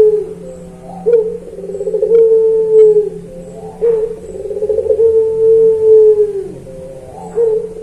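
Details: Captive puter pelung (Barbary dove) used as a training recording for other birds: long, low drawn-out coos, each opening with a short rising note and then held steady before fading, repeated about every three seconds.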